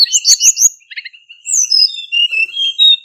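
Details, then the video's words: Hill Blue Flycatcher, a male used as a trapping decoy, opens with a fast burst of chattery chips and then gives thin, level, high whistles in short strokes. "Tiếng chim Hồng hạnh trống mồi"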